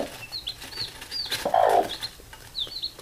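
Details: Domestic hen calling her chicks to sleep, one short low cluck in the middle while the young keep up high, downslurred peeps throughout, with some rustling.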